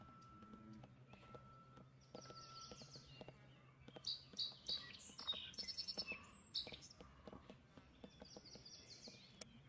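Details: Canada goose goslings at Lake Champlain in Addison, Vermont, on 25 May 2022; bright high peeps, some in quick runs, cluster through the middle, over a soft steady low hum and faint ticking background.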